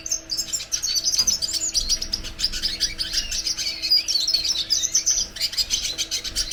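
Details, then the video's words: Red siskin (Venezuelan cardenalito) song: a dense, continuous high-pitched warbling twitter of quick chirps and trills. A faint constant hum and a few soft low knocks are also audible. "Cardenalito de Venezuela cantando!!"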